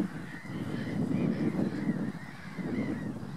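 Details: Common pochard calling: a run of short, harsh, slightly arched notes repeated about every third of a second over a steady low rumble.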